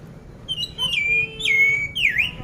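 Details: Caged oriental magpie-robin from Magelang, Central Java, ready for competition, giving clear drawn-out whistles: each note starts high and slurs down to a level tone, the last dipping and rising in a V shape.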